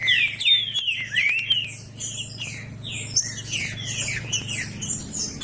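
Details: Green-winged saltator in loud song to rouse a quiet bird: rapid, continuous phrases of slurred whistles, many falling, mixed with thin high notes, over a constant low hum.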